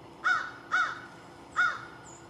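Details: At lunch, an American crow gives three loud, hoarse caws, the first two close together and the third after a short pause, over faint low rumble.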